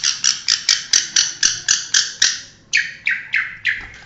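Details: Long-tailed shrike, a national champion competition bird, singing a series of harsh, buzzy notes repeated about four times a second, broken by a short pause and then a few slower downward-sliding notes.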